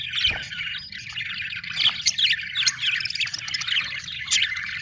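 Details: Happy budgerigars chattering: rapid squeaky chirps, rising and falling whistles and scratchy notes from several birds, over a low background hum.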